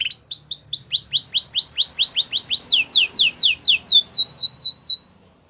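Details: Belgian canary singing a long chain of clear, falling whistled notes, about three per second, stepping between pitch levels before stopping into silence.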